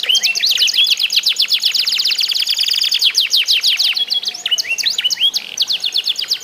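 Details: Canaries competing in song, played to encourage other canaries to join in: fast high trills of repeated notes, about nearly three per second, mixed with upward-swept whistles.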